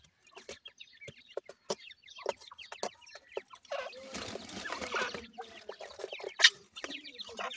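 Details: Young grey francolin chicks giving brief, clipped peeping notes in scattered bursts, then a stretch of rustling and mixed chirps, with one loud sharp note near the end.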